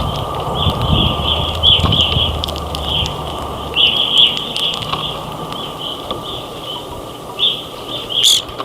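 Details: A flock of grosbeaks feeding at a feeder with other birds during a snowstorm in northern Ontario keeps up a steady stream of high, clear chirps and short whistled notes, with a low rumble of wind underneath.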